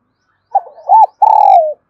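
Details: Spotted dove used as a decoy bird, calling in Đồng Nai, Vietnam: a short cooing phrase of two rounded notes, then a long, slightly falling drawn-out coo, loud and clean with no other sounds.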